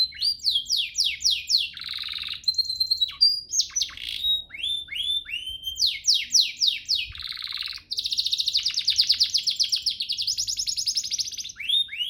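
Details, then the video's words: Canary master song for training pet canaries to sing: fast series of descending whistled notes alternating with dense buzzy rolls and long rattling trills, continuous and varied. "Masteran Mewah Spesial agar burung kenari cepat GACOR"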